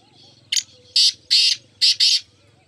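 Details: One of four black francolins, recorded 9 May 2024, gives a harsh, grating phrase of five rasping notes, a short lead-in then two paired bursts, over a faint low hum.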